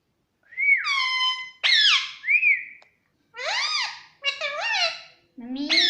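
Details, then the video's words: Pet Indian ringneck parakeet giving loud, harmonic squawking chirps. Some calls rise and fall, others are bright and whistled. They come in bursts of about a second, separated by short pauses. "parrot chirping Sound _ Cute Indian Ringneck Parrot Mitthu voice"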